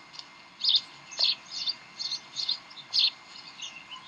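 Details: Bald eagle nest at Decorah, 18 May 2012, 7:45 pm, tug-of-war play: a series of about eight short, piercing chirps, spaced unevenly at roughly half-second gaps, over faint hum.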